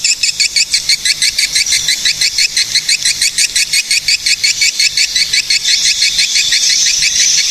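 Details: Swiftlets recorded at Cilacap, Central Java, Indonesia: a steady run of sharp, high chirps repeated about three times a second, each a quick rising-falling note with a bright upper band, over a faint low hum.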